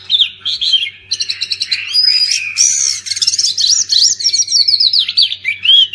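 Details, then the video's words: Oriental magpie-robin song mixing harsh scratchy bursts with sweet whistles and quick warbled trills. The phrases are dense and tumbling, over a faint low hum. "Kacer pasti nyamber dan gacor klo dengar ini"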